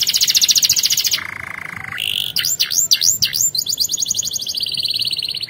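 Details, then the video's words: Canary song meant for training other canaries to sing: a fast high trill, then a lower steady buzzy roll, then loud rising-and-falling swooping notes, ending in a rapid rattling trill. "Canary 's most powerful song bird singing training"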